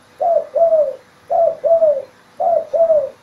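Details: Spotted dove calls played as a lure for trapping doves: low, soft coos in paired notes, a short coo then a longer slightly falling one, the pair repeated three times about once a second.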